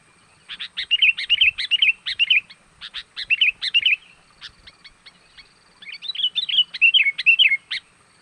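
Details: Energetic lure call of a sooty-headed bulbul, meant to bring wild birds closer. Rapid runs of lively, bubbling chirps and short warbles come in three dense bursts, broken by brief gaps.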